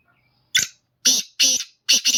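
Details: A kept Black francolin (Francolinus francolinus) sings four harsh, grating, creaky notes in quick succession, the last two nearly run together, with no other sounds.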